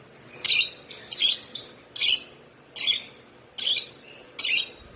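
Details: A one-month-old hand-fed African lovebird gives about six harsh, high chirps in five seconds, each a short buzzy burst, with quiet pauses between.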